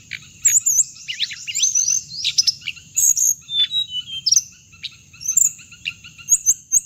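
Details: Hồng hạnh bird, played back as a lure to trap birds: fast, high chirps and looping whistled notes tumbling over one another, with sharp downward sweeps and a steady thin high tone running throughout.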